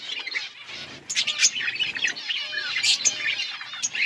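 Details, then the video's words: Budgerigar colony kept outdoors, a steady wash of high twittering and chattering from many birds, occasional sharper squeaky notes standing out. "Budgies birds chirping sounds in outdoor colony"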